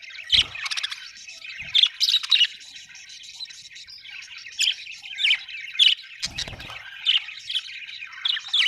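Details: Budgerigars give bright, repeated chirps and short squawks over a steady chattering background, with a few low bumps at about half a second and six seconds.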